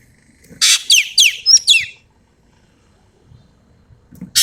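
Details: Sumatran ekek keling singing strongly in the tembakan style: one rasping burst, then four quick descending whistles and a short buzzy note. A second burst begins at the end, and a low murmur sounds in the pause.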